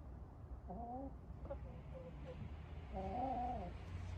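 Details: Hens of an urban backyard flock chattering at bedtime: soft, drawn-out, slightly wavering calls in two bursts, with a low steady hum behind.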